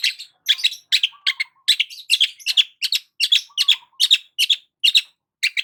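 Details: Long-tailed shrike sunbathing in the morning, delivering a rapid, continuous run of harsh, scratchy high chattering notes at about two per second, with occasional low whistled notes between.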